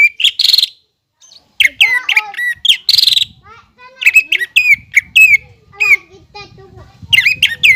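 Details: Cucak ijo, the greater green leafbird, singing energetically as a model for untrained birds. Rapid series of loud, clear whistles and slurred chips, varied and bouncy, broken by brief silences. Faint low rumble in the background.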